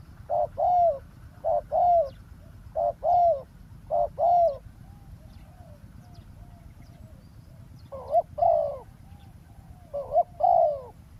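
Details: Spotted dove cooing during roadside ground trapping in Thailand, luring a wild bird; paired hollow coos, a brief note and a longer falling one, repeated in quick series, then a pause before two more phrases, with soft background rumble.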